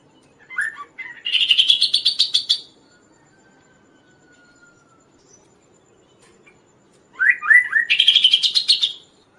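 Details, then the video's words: Kaso-kaso singing energetically, kept as a master song bird and lure for other birds; two bursts, each opening with a few rising whistled notes, then a fast buzzy, rattling trill repeated rapidly, separated by a quiet gap. "suara Burung Kaso-Kaso gacor|| masteran dan raja pikat burung lain"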